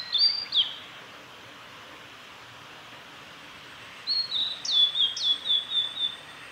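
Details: Male blue-and-white flycatcher singing along the Kanazawa forest road at Lake Miyagase, Japan, on 3 May 2020: two high whistled notes, a pause, then a rapid descending run of short clear notes over steady background rush.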